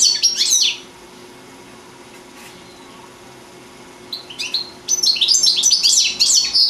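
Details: European goldfinch, four years old, from Sant Salvador de Guardiola, Spain, singing: a rapid jangling burst of high tinkling notes, a pause of about three seconds, then quicker twittering phrases building into a dense liquid run.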